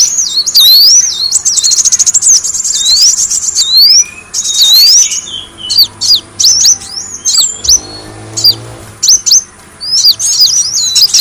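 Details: Kolibri wulung, a sunbird, on a bird-attracting lure track: high sweeping whistles and a brief fast trill early on, then scattered sharp chirps in bursts, with a faint low hum.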